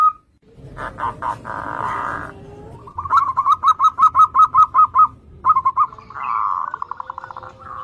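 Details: Zebra dove singing to lure others into song: a few buzzy rolling purrs, then a crisp run of about ten hooked whistled coo notes and a final rolling, trilled phrase.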